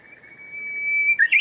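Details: Japanese bush warbler in Showa Kinen Park on 10 April 2021, a sustained level whistle gradually swelling in loudness before breaking into the first sharp, upward-flicking notes of its flourish; background otherwise quiet.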